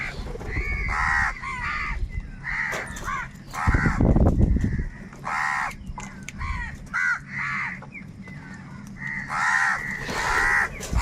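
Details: Huge numbers of crows crying while fighting for food; a continuous chorus of coarse caws overlaps throughout, with a loud low thump near the middle.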